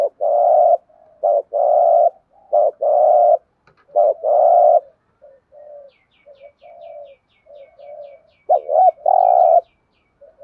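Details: Spotted dove giving rapid 'thúc gù' coos: repeated deep, throbbing notes in quick runs with brief gaps and quiet murmurs; faint, rapid, high ticking calls from another bird partway through.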